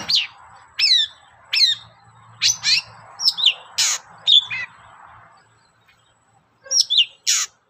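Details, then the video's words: Long-tailed shrike singing energetically as a lure for other shrikes: high, falling whistles and sharp chips separated by short pauses, over a soft broad hiss. A quiet gap comes before a final burst of three notes. "SUARA BURUNG CENDET GACOR, PANCINGAN CENDET BAHAN AGAR CEPAT GACOR"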